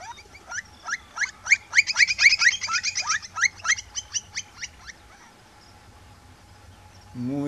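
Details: Campo flicker perched on a fence post among several others, filmed close up: a rapid series of loud, sharp, repeated notes that rise in intensity and then fade over about five seconds, with a low rumble at the end.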